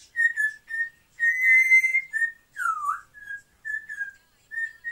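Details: African grey parrot, a pet bird in a room, whistling clear level notes, one longer slightly rising whistle, then a swooping downward slur and more short repeated notes.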